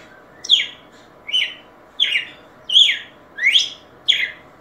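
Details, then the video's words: ['Red-cowled cardinal song: six rich swooping whistles at a brisk, slightly uneven pace, roughly two every 1.5 seconds, each note rising or dropping sharply, background otherwise quiet hum.'] "Galo De Campina Cantando"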